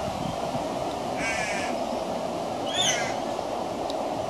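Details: Young crow calling for food, giving two harsh, nasal calls about a second and a half apart over constant low-pitched background noise.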